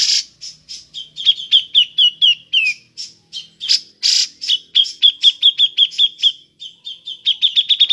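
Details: Grey-cheeked bulbul in ngepik mode, a call for luring birds: long stretches of rapid, clipped high 'pik' notes, broken by a few loud harsh rasping bursts, the pace quickening toward the end.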